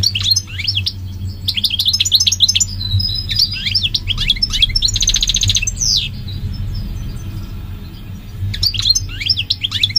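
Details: Goldfinch song in quick bursts of high chirps and liquid twitters, broken by a nasal buzzy passage near the middle and a pause before a final burst, over a constant low hum.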